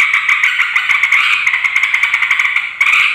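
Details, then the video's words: Agitated sooty-headed bulbul song used as a lure to provoke rival bulbuls: continuous rapid, scratchy chattering with steady bubbling notes, barely a break across three seconds. "Suara trucuk ribut pikat trucukan lain langsung emosi"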